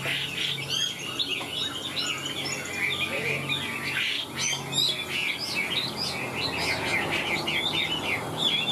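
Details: Caged Chinese hwamei, a large songbird singing high: a dense, rapid run of varied whistles, trills and chattering notes poured out continuously with hardly a pause, with a steady low hum and some background noise.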